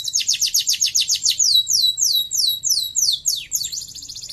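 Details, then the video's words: Canary singing a rapid, high series of repeated trills and sweeping whistled notes, changing phrase every second or so, with a faint low hum behind. "Best Canary Singing"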